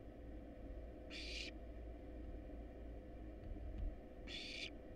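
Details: Hungry wild barn owl chicks being fed a rat and rabbit in a research nest box: two breathy screeching hisses about three seconds apart, set against a continuous low hum.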